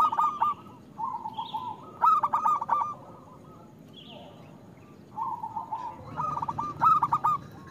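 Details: Local zebra dove singing as a lure to get hard-to-start doves singing: trilled cooing phrases in two bouts, each a rapid stutter of notes, with brief higher chirps from another bird between.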